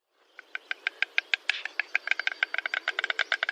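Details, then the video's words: Stork making a dry, woodeny clatter of sharp separate knocks that start slowly and speed up into an uneven, rapid series, with no other sounds. "O som da cegonha, barulho da cegonha"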